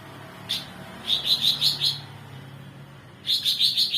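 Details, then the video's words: A cucak ranting bulbul in 'mbeset nembak' style, kept as a tutor for other songbirds; one sharp note, then a rapid run of five bright chirps, a pause, and another fast chirping run, with faint background hum. "cucak ranting mbeset nembak"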